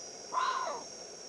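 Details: Bateleur (Terathopius ecaudatus) performing a territorial display in Kgalagadi Transfrontier Park, South Africa, gives one harsh, hoarse bark lasting about half a second, over a steady thin high-pitched whine.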